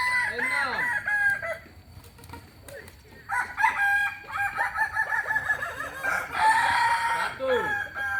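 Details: Kokok Balenggek chicken from Solok, West Sumatra, crows briefly, then a quiet gap with soft clicks follows before a long, multi-syllable crow of wavering, stepped notes.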